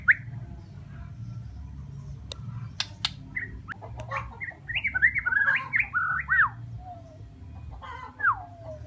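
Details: Bornean white-rumped shama singing: a varied run of clear whistled phrases, rising and falling slurs that cluster into a rich rapid sequence, then a long descending whistle, over a low hum and a few sharp clicks.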